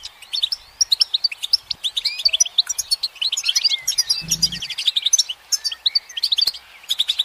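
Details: A goldfinch sings on a branch in sunlight, giving rapid metallic twitters, short trills and slurred notes in steady bursts, with one low thud partway through.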